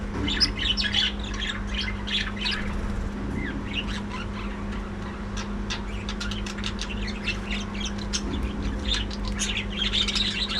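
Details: Many budgerigars kept as a breeding colony call at once, a continuous busy mix of sharp chirps and brief warbling notes, growing denser toward the end, over a constant low hum.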